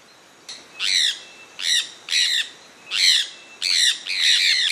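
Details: Sulphur-breasted parakeet (Aratinga maculata), a species resident in Pará and Amapá, Brazil, gives harsh, screechy, high-pitched squawks about one every second or so, sometimes doubled.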